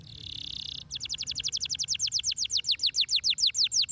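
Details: Canary singing to stimulate other canaries: a brief buzzy rattle, then a continuous fast trill of clipped high down-slurred notes that slows slightly toward the end.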